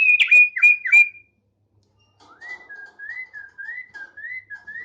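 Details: Thick-billed heleia, a tame bird in full song, gives three loud sharp whistled notes, pauses briefly, then a steady series of soft wavy whistles repeated about three times per second.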